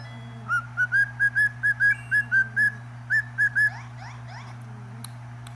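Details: Cockatiel singing a quick series of about eleven short, clear whistles on one pitch, evenly spaced, then a brief pause and a few softer scratchy sounds, with a steady low hum throughout.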